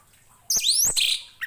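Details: Orange-headed thrush singing for training other birds: a short bright phrase of high whistles slurring up and down, ending with a brief note.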